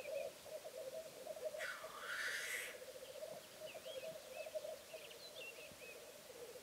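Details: A displaying male black grouse on a bog: steady far-off bubbling coos throughout, broken by a harsh whooshing hiss, with small chirping birdcalls in the background.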